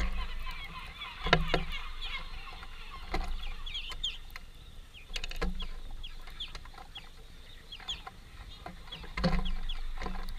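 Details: A greenfinch family feeding gives quick, thin chirps in a rapid irregular patter, several calls a second, over low rumbling wind and occasional bumps.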